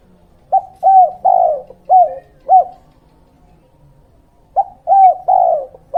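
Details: Spotted Dove 'kuk 2' lure cooing, meant to attract wild birds and train young ones: a phrase of five rounded coos, the second and third longer, then a gap and three more coos, with a faint background hum.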